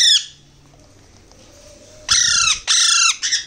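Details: Baby Alexandrine parakeets during hand feeding, with a brief squawk, a quiet pause with a faint hum, then a rapid run of loud grating begging squawks, each about half a second long.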